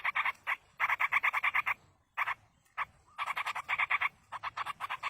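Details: Wild yellow-vented bulbul nestlings calling while being fed by a parent: bursts of fast, grating, evenly pulsed notes, several per second, broken by brief silences.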